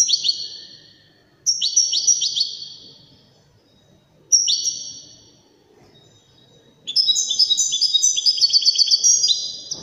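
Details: A European goldfinch performs Widani song. Short, sweet twittering phrases come at intervals of about three seconds, then build into a longer, dense run of high tinkling trills near the end.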